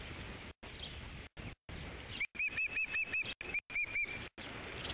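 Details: Osprey at a ranch nest on 3 July 2016 while a fish is delivered: after a second of quiet hiss, a quick series of about ten sharp, even whistled chirps, interrupted by brief dropouts.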